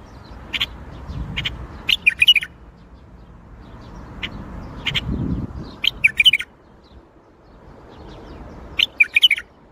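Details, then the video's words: Bulbul song, Baghdadi style: a few spaced single notes build into quick chattering flourishes of bright warbled chirps. The pattern recurs roughly every three to four seconds, with faint low rumble between. "تغريد بلبل طور بغدادي"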